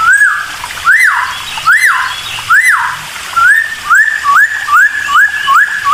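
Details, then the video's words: Bulbul song played to trigger replies from other birds: a few loud arched whistles rising and falling slowly, followed by quicker, evenly spaced rising whistles. "masteran dan pancingan cucak timor, gak pakek lama pasti langsung respon"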